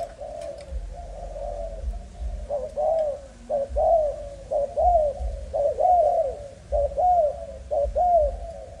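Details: Young spotted dove of Malaysian type, line 55, starts softly, then delivers a run of clear arched coo notes at about one per second against low steady background noise.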